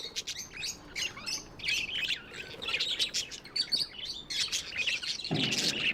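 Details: Tame budgies chirp and warble in overlapping high scratchy phrases, ending with a louder broadband rustle.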